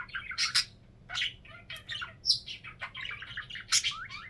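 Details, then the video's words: Domestic budgerigar producing its signature sound, a series of loud sharp squawks and chirps in irregular bursts, mixed with rising and falling squeaky notes. "Wait for Phoenix's funny signature sound"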